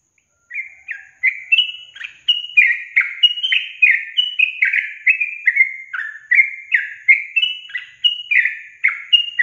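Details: Sooty-headed bulbul lure song meant to get reluctant young caged birds to sing: a fast run of bubbly, slurred whistled notes, each dipping or rising, repeated steadily about every half second with brief pauses, no other sounds.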